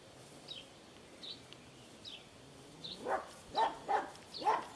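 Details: Ostrich chicks heard as short, high, down-slurred chirps, then louder, broad, rising peeps roughly every half second near the end, over steady background noise.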